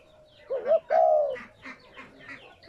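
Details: Spotted dove coo for stimulating captive doves: a short wavering rising note runs into one long, low, slightly falling coo, then quiet chirps and the start of another phrase.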